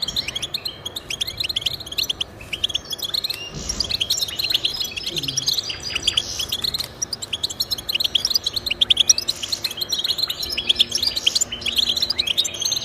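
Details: European goldfinch song played to encourage pet goldfinches to sing: rapid twittering of bright chirps and short liquid trills, continuous over the whole stretch, with a brief low-pitched slur near the four-second mark.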